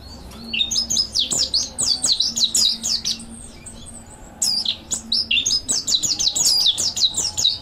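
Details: Mountain white-eye singing a training master song: two bursts of rapid, high, twittering warbles of quick sliding notes, broken by a short lull, with a faint low hum beneath.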